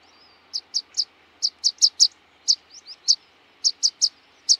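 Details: Series of rapid thin high chips from a rock pipit, a large dark seashore pipit, given in loose groups of two and three at uneven spacing, loud and clear.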